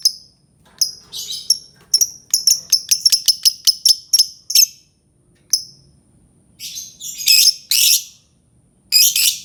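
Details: Albino lovebird chirping in a quick run of sharp, high, evenly spaced notes, about a dozen in a row, then louder harsh squawky bursts toward the end.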